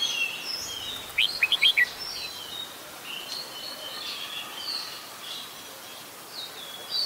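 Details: Adult Red-whiskered Bulbul singing in Ubon Ratchathani, Thailand, 16 December 2020: one crisp run of four fast, slightly descending chirps early on, followed by softer warbled notes amid a busy background of bird chatter.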